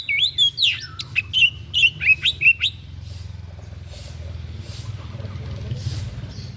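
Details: White-breasted bird giving an unusual song used for song training: a quick run of sharp, looping whistled notes with rapid up-and-down slurs over about three seconds, followed by quiet low background hum.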